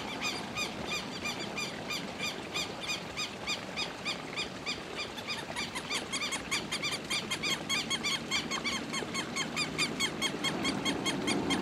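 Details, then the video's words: Southern lapwing calling: harsh, strident notes repeated rapidly and steadily, about one and a half per second, growing slightly louder toward the end, over a background of outdoor noise. "Quero Quero Cantando"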